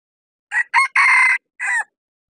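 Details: Decoy cock red junglefowl luring wild junglefowl at a hilltop bamboo forest gives a full crow: quick first note, sharp second, long level middle and a detached drooping finish, strong and clean.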